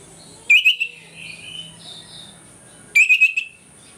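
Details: Orange-headed thrush in loud ngeplong morning song, a lure meant to make rival birds aggressive; two brief, sharp trilled phrases separated by a soft murmuring pause, against a constant thin high tone and faint hum.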